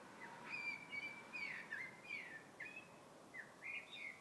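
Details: Bird singing in February, a lively sequence of whistled and slurred notes, about two to three per second, somewhat irregular in spacing, with faint environmental noise behind.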